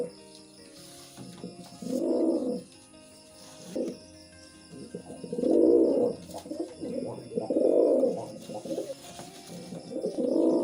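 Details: Pigeons during mating, giving repeated low, rounded cooing phrases, each a swelling hum lasting about half a second to a second, several bouts spaced every couple of seconds with a faint steady background hum.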